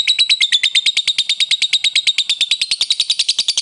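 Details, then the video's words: Lovebird in a 'koek' rival-calling bout, a steady run of rapid, high, shrill chattering notes roughly three per second, unbroken throughout, to excite other lovebirds. "Lovebird koek memanggil lawan di iringi ngekek mantap untuk menaikkan emosi lobet lain"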